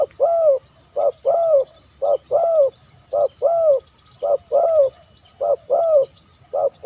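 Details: Repeated coos of a spotted dove, recorded in 2023 to attract other spotted doves. Short and long hollow hoots alternate in a steady rhythm about once a second, under quick high twittering and a faint constant whine.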